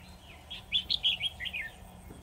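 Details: Trapped decoy red-whiskered bulbul gives one rapid warbled phrase of bright chirps that climbs, then tumbles down toward the end.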